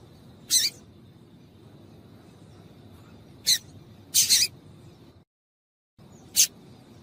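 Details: Female yellow-bellied seedeater calling to excite males: four high piercing notes, one drawn out into a stuttering double, interrupted by a brief silent break before the last chirp.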